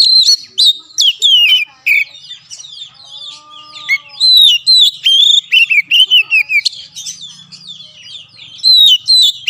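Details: Caged Oriental magpie-robin (kacer) used as a master recording to coax a reluctant bird into singing: loud, varied high whistles and rapid chattering phrases in quick succession, with brief pauses between bursts.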